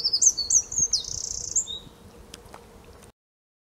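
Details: Eurasian wren recorded on 5 March 2015 at De Kleuter in Uden: a fast, high-pitched run of sharp trills and twittering notes lasting about two seconds, fading out, with faint background hum.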